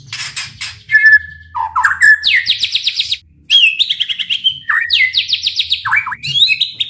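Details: White-rumped shama song for provoking other shamas: clear drawn-out whistles alternate with rapid trilled runs of repeated notes, a brief silence midway, then more fast trills.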